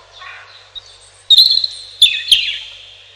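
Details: Robin delivering a brief high phrase of sweet whistled and twittering notes after a soft lower warble, interrupted by three sharp clicking sounds.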